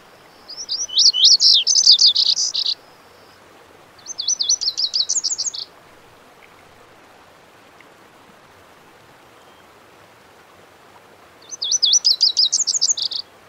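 A Lazuli bunting sings three bright, high, rapid phrases of sweet buzzy notes, each lasting one to two seconds, separated by pauses, against a quiet background.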